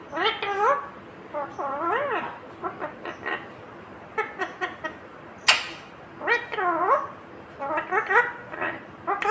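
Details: Indian ringneck parakeet talking at length: repeated speech-like phrases with arching and rising pitch contours, interspersed with short clicks and chatter in a small room.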